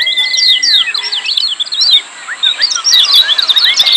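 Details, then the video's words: Lemon-bellied white-eye, busy 'ciak' calls to stir silent birds: a long even whistle that drops away, then scattered high chirps, a brief lull, and a fresh burst of quick rising and falling notes. "Masteran Kecial Kuning Ciak Joss RIBUT RAME"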